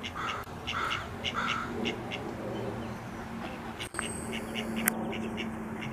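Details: A female mallard quacks three quick nasal quacks about half a second apart, keeping her ducklings close and protecting them as a Canada goose approaches, then falls quiet under a steady high whine, a low hum and a sharp click.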